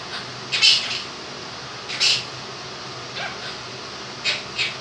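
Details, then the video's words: Pet Quaker parrot, a two-year-old male, indoors mimicking words and song fragments: a few brief, harsh, squawk-like bursts spaced irregularly about a second apart, with a constant fan whirring underneath. "Quaker Parrot sings 'Happy And You Know It'"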